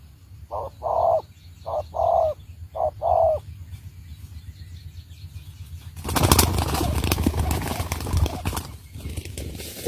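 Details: Decoy spotted dove for trapping utters three short-then-long coo pairs, after which loud flapping and rustling noise takes over for the rest.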